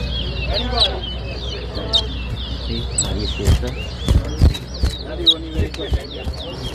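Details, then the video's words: Towa towa (chestnut-bellied seed finch) at a bird whistling competition at Better Hope bird ground, Guyana, two birds matched against each other. Rapid, repeated whistled notes, many sliding downward, with clicks, knocks and voices nearby. "TOWA TOWA BIRD WHISTLING COMPETITION"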